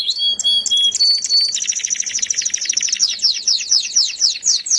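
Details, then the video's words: Canary singing a sweet song: pure whistled notes open into long, rapid, buzzy trills that repeat quickly and steadily, with faint background hiss. "suara burung kenari merdu"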